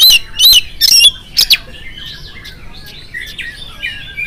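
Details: Oriental magpie-robin singing in the morning to provoke replies from other magpie-robins. Several loud, rough bursts and whistles come first, then fade into quieter, lower warbling.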